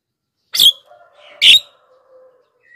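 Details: Black-winged myna, a recording used to attract wild birds and train reluctant singers: two loud, grating squawks under a faint, sustained, wavering whistle, followed by a short rising note at the end.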